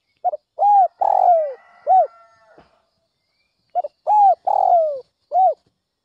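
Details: Spotted dove calling hard at dawn to excite wild doves: two low cooing phrases, each a quick coo, a rising coo, a long falling croo and a final short coo, about three seconds apart, with a faint background call.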